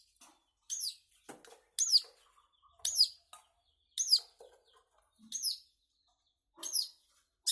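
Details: Long-tailed shrike singing: sharp, high, downward-slurred whistled notes given singly about once a second, with softer lower chatter between them.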